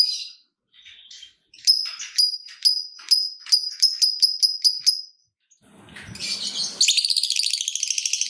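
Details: Lovebird sound played as a lure to set off other lovebirds: a quick run of about ten evenly spaced sharp high chirps, then a noisy rustle, then a fast, harsh, buzzy rattling chatter.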